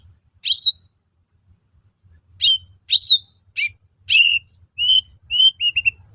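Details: Singing to draw replies from other shrikes, a long-tailed shrike gives scattered sharp whistled upslurs and buzzy notes, finishing with a quick string of short, level, piping whistles.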